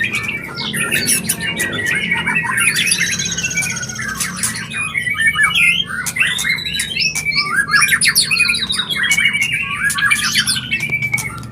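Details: White-rumped shama giving its mating sound for bringing a bird into breeding condition: long stream of rich, warbling whistles mixed with scratchy chatter and rapid clicks, steady and loud throughout.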